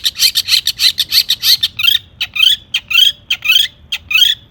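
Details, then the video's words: Long-tailed shrike in energetic song rich in imitated material, meant to make other shrikes sing: fast chattering bursts, then broader scratchy warbled phrases, about one or two per second. "burung cendet gacor EMOSI MEWAH buat PANCINGAN CENDET AGAR BUNYI bikin BURUNG PENTET GACOR NYAUT"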